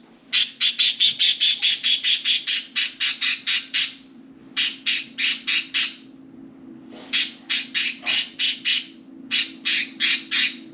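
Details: Four budgerigars at play inside and atop their cage; long rapid series of harsh squawks, about four per second, in runs of several seconds separated by brief pauses, low hum behind.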